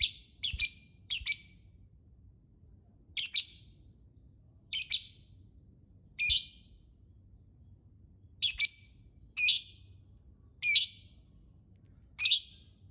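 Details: Lovebird giving harsh high chirps, singly and in quick clusters of two or three, spaced irregularly over a faint low hum.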